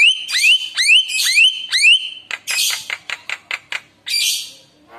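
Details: Javan myna song intended to prompt other mynas to answer: four ringing rising whistles in a row, then a rapid string of short harsh clicks and a final noisy squawk.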